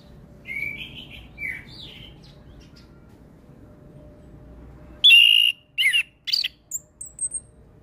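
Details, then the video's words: Orange-headed thrush lure song, beginning with faint distant whistles over soft background hiss, then loud abrupt ringing whistles and chirps in a short varied burst. "Pancingan Burung Anis Kembang Bahan Dengan Suara Anis kembang Gacor Full isian"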